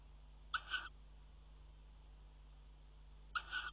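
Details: Tawny owls at a nest box in a water tower during mating on the rim, February 2018; two short, rasping double-noted calls roughly three seconds apart, with a constant low electrical hum beneath.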